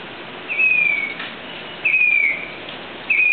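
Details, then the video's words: Grey-bellied cuckoo calling loud, thin, high whistled notes that slide slightly downward, three spaced about every 1.3 seconds, over a steady faint hiss. "Call of Grey-bellied cuckoo | कारुण्य कोकीळ"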